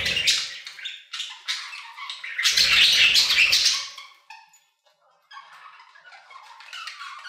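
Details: Budgerigars singing in an aviary: sharp chirps build into a loud, dense burst of grating chatter with a low rumble, then fall to near silence before softer warbling returns.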